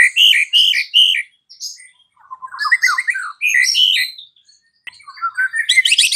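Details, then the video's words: Afternoon white-rumped shama lure song to rouse a mute bird: loud repeated whistled notes, a descending warbled run, then harsh chattering rising into a buzzy burst. "PANCINGAN Murai Batu SORE hari , langsung bikin Murai Batu bisu AUTO NGAMUK"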